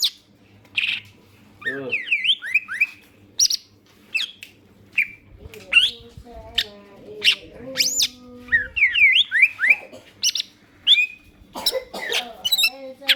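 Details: Green leafbird singing steadily as a lure to make other birds sing. A long, lively run of sharp rising whistles, downslurred chips and quick clustered phrases, with a few lower steady tones midway.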